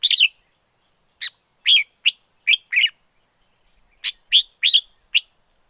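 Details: Forest-dwelling red-whiskered bulbul, wild, giving sharp rising-and-falling chirped notes spaced irregularly, some doubled, with a gap of nearly a second midway. A faint steady high-pitched hum sits underneath.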